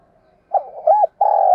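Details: Spotted dove used as a decoy, giving a mellow coo phrase: a brief burst, a murmured middle, an arched coo, then a long steady low note cut off at the end.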